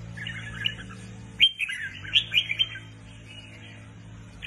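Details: Caged red-whiskered bulbul, new to the keeper, gives one brief burst of bright whistled notes over about a second, then falls quiet as a steady low hum continues.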